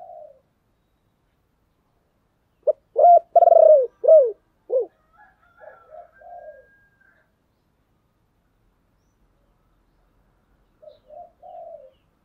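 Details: Captive decoy spotted dove calling to lure wild doves: a brief note followed by a run of deep, hollow coos with rising and falling inflection, softer coos after, a long silence, then a quiet coo phrase at the end.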